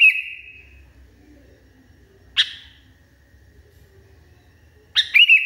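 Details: Agitated sooty-headed bulbul: the tail of a held whistle, a single sharp chip after a pause, then a burst of quick notes at the close; background otherwise quiet with low hum.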